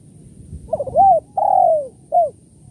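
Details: Spotted dove calling kuk 1-2 style, as used to lure doves: faint lead-in notes, a rounded coo, a long falling coo, then a short closing coo, with low background hum.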